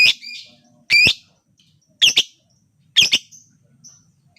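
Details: Lovebird calling to stimulate other lovebirds to sing: four harsh high chirping squawks roughly once a second, some doubled, with a faint low background hum.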